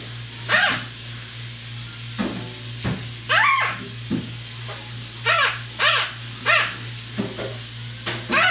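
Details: Pet parrot running through imitations such as whistling, meowing, barking and yelling: a string of arched, nasal, harmonic calls alternating with softer low notes, irregularly spaced over about eight seconds, indoors with a low hum.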